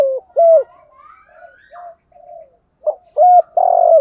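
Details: Male and female spotted doves cooing to bring rival birds to fight: two strong hooting coos, a stretch of soft murmurs and faint higher chirps, then a short coo and a long loud one.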